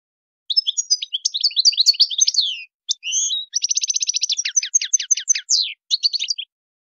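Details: Tadmait-style song of a European goldfinch, used for tutoring young birds: high jumbled twitters, a brief buzz, then a long even burst of rapid staccato notes and a few closing chirps.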